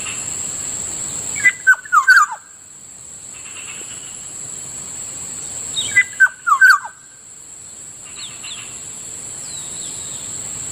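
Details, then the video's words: Black-naped oriole near a rice field at morning, repeating a fluty, downslurred whistled phrase twice, roughly every four and a half seconds. Faint higher chirps follow, and an insect drone runs throughout. "Morning sounds of Kilyawan usually heard near our ricefield"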